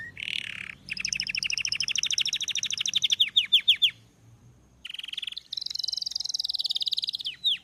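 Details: Singing Belgian canary: a rough buzzy note leads into a long, rapid trill that breaks into falling whistles; after a short pause, a higher, faster trill follows, closing with a downslurred note.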